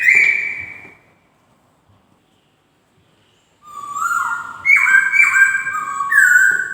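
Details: A white-crested laughingthrush sings sweetly: one whistled note, a long pause, then a tumbling sequence of loud, pure whistles stepping between two pitch levels with bright overtones.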